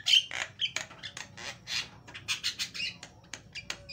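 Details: Javan myna gives a loud, varied lure song: a fast jumble of raspy chatter notes, squeaks and short whistles, delivered in uneven clusters, with faint hum underneath.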